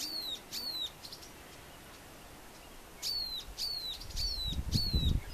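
A grassbird gives high, thin, downslurred whistles, each starting with a brief upward hook, repeated about twice a second in short bursts, with a low rumble of wind near the end.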